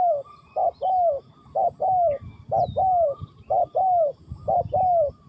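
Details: Spotted dove from Ninh Thuận cooing steadily: a short note followed by a longer, smoothly falling coo, the pair repeated about once a second with a faint low background rumble.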